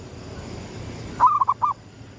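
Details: A local zebra dove's gedong mengo lure coo at dawn: a single phrase of a rising opening note and three short mellow coos, preceded by a quiet background hum.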